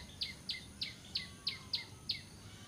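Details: Bar-winged prinia used as a lure for bird trapping, calling with seven crisp, high, down-slurred notes evenly spaced about three per second against low background noise.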